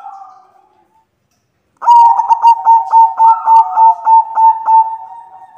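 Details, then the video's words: Calling female white zebra dove trying to draw a male: a faint coo, a pause, then a loud rhythmic series of rapid pulsed cooing notes at a steady, even pace. "Perkutut Putih BETINA memanggil jantan"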